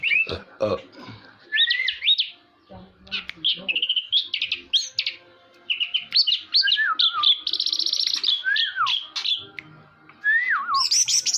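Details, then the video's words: An orange-headed thrush sings a long, varied sequence of looping whistles, downward-slurred notes, rapid high trills and a buzzy passage, phrases changing constantly with brief pauses between bursts. "Burung Anis merah teler klasik"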